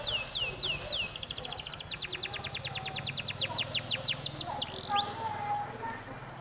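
A canary sings fast rolling trills of high, falling whistled notes, shifting between sweeping slurs and rapid ticking runs, over a low background hum.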